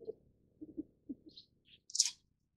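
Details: A Reeves's pheasant (Syrmaticus reevesii) gives a run of soft, low, muffled thumps and coos, then a few sharp, high, squeaky notes, the last one loudest.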